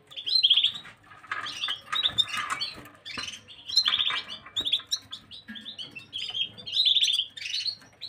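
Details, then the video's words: Gloster canary song dated 9 January 2023, made of repeated rolling trills and chirped phrases, bright and high, delivered in near-continuous bursts with brief pauses. "Gloster y Más"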